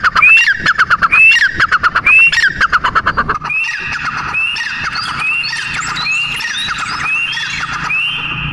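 Francolin calls: loud, harsh, rapidly pulsed notes with a rising whistle about once a second, then several birds overlapping in ringing, upslurred whistles.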